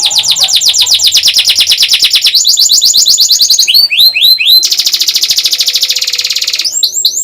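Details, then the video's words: Canary song used as a training model for young canaries and to prompt reluctant singers. Loud, fast trills of repeated high sweeping notes, shifting between rolling phrases and buzzy, rapid sections. "MASTERAN BURUNG KENARI PAUD & PANCINGAN KENARI SUSAH BUNYI"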